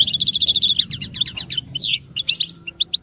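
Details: Song of an American goldfinch, played to teach chicks: rapid series of bright, evenly spaced chirps, then a sweeping downward slur and a few sharp whistled notes, over a faint low hum.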